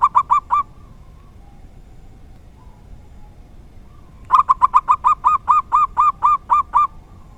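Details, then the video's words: Local zebra dove giving its seldom-heard "dor tak kowor kowor" song: a brief cluster of quick coos, a long pause, then a fast burst easing into a regular series of rounded, repeated notes. "Perkutut lokal dor tak kowor kowor suara langka sangat jarang bisa ditemukan"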